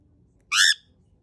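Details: Male pet cockatiel calling loudly after its head stops being stroked: one sharp, harsh, shrill screech lasting about a quarter second against a quiet indoor background.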